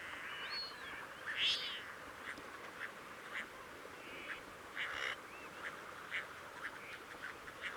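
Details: Crested duck, Lophonetta specularioides, monitored 18 June on the Coyle River estuary, Santa Cruz, Patagonia, Argentina: scattered rasping quacks, one loud burst early, plus thin rising whistles and steady background hiss.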